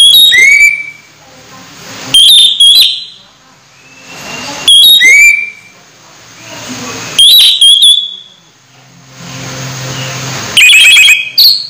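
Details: Orange-headed thrush nearing its moult but still in full song, giving four or five loud whistled phrases of bright up-and-down notes ending in a drawn-out slur, spaced roughly every two to three seconds.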